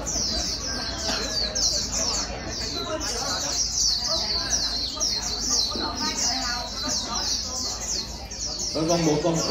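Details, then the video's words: Newly caught white-eye urged into fast líu warbling: bursts of rapid, sharp high chirps flow almost constantly, with murmuring voices beneath and a brief louder sound near the end. "Kích chim vành khuyên bổi mau líu"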